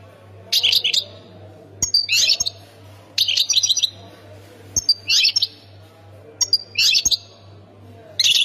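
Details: Khemis Miliana style goldfinch song, Ain Defla, Algeria: lively tinkling twittered bursts repeated about every second and a half, each with thin high notes and quick chattering runs, over a faint continuous hum.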